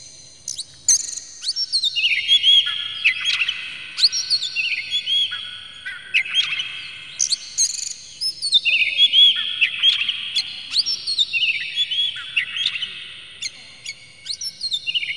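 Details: Agitated oriental magpie-robin, tail spread, singing to provoke others of its kind. Bright phrases slide downward again and again, each a cascade of sharp chirps followed by a high whistle, repeated steadily throughout.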